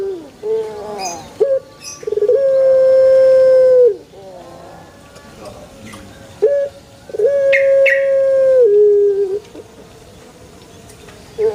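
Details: Two long, flat, mid-pitched coos from a male Barbary dove, each preceded by short clipped notes, with a quiet gap and faint background noise afterward.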